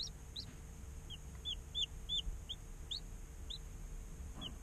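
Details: Day-old chicken chicks in an incubator giving spaced, clear high peeps, each a short downward curve, about one every half second, over a steady low hum.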